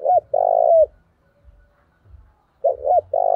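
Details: Spotted dove used as a decoy, calling hard to provoke fights, its voice carrying across the area; paired deep coos repeat in bursts, each a quick note followed by a longer drawn-out one, with low knocking thumps between them.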